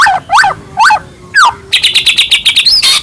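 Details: Captive white-rumped shama singing as a lure to stir other shamas into song, giving loud swooping downslurred notes, then a fast run of buzzy repeated chips ending in a rising whistle.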